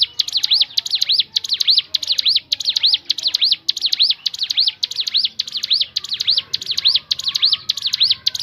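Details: Song of a crescent-chested babbler used to coax other birds into singing; steady rapid series of high, curved chirping notes without pause.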